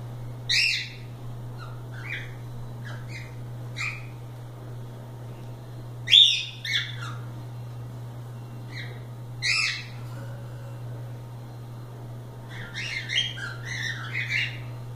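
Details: Free-flying cockatiels playing in a live stream, giving short harmonic chirps and squawks in scattered bursts over about fifteen seconds, with a steady low electrical hum underneath.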